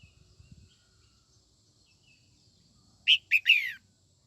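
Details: A female red-whiskered bulbul sings to spur on young males. Faint low knocking at first, then a quick three-part phrase: two clipped chirps and a longer falling, buzzy note.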